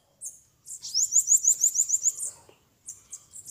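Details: Wild Bananaquit near Maceió, Brazil, fighting a rival during a bird-trapping contest: a very high, thin buzzy trill of about nine rapid repeated notes lasting just over a second, followed by short high chips.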